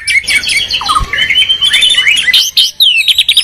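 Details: White-rumped shama, Medan and Borneo birds singing in a duel, territorial: loud rich song of high whistles, rapid trills and sweeping notes, dense and continuous with a brief pause near the end.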